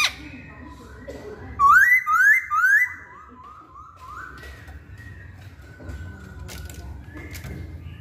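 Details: Hwamei song: three loud upslurred whistles in quick succession, then softer wavering lower whistles and faint chatter against a quiet indoor background.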